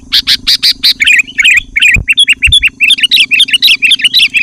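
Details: Sooty-headed bulbul pouring out loud, close-packed 'gacor' song to lure wild bulbuls and challenge rivals: harsh buzzy notes at first, then continuous chattering whistled phrases, over a steady low hum.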